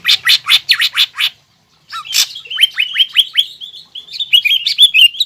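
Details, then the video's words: Green leafbird pouring out song rich in imitated calls, meant to provoke a rival bird; harsh broad chirps first, a short break, then a tumbling series of quick down-slurred whistles. "CUCAK IJO GACOR FULL BONGKAR ISIAN AGAR CUCAK IJO LAWAN EMOSI DAN MAU JAMTROK"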